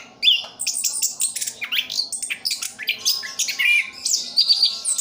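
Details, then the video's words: A captive orange-headed thrush (anis kembang) from Sidoarjo, East Java, sings a rapid, unbroken run of varied high whistles, chirps and quick slurred notes, each phrase changing pitch, with no pauses. "Anis kembang "Anti Gempa". Rooll full anti streees"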